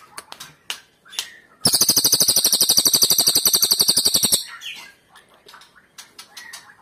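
A cililin bird gives a loud, high, rapid trill of even notes lasting nearly three seconds, with scattered softer chirps before and after.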